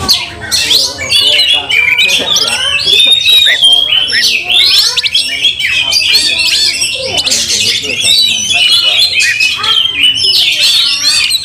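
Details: Agitated Oriental magpie-robin in fighting display, tail spread, heating up rival magpie-robins; long, loud stream of varied whistles, clicks and buzzy trills, delivered rapidly with hardly a pause.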